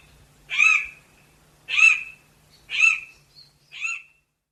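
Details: Harsh raspy calls of a chestnut forest rail, a smallish montane forest rail. Four short, rough squawks about a second apart, the last one weaker, with clean silence between them.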